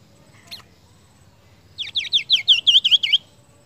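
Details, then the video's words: Seniper tutor song: a single high note, then a quick run of about eight sharp, bright chirps, each dipping and rising, over a low background hum. "VARIASI KICAU BURUNG MASTERAN SENIPER"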